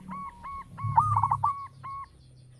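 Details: A local zebra dove, praised for its big, rich voice, sings evenly spaced soft coos with a quick bubbling trill in the middle of the phrase.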